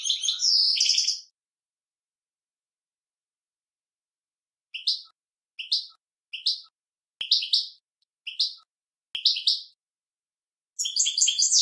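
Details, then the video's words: Male European goldfinch singing to teach a young goldfinch: an opening twittery burst, then short bright chirps repeated about every second, ending in a fresh rapid twitter. "european goldfinch male singing to indoctrinate young goldfinch"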